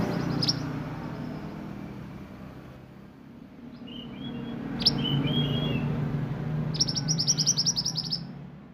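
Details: Sunbird (mantenan) singing in the roll nembak style used as a training song: a high squeaky note, a few sliding whistles midway, then a fast rattling roll of sharp high notes near the end, over steady low rumbling noise.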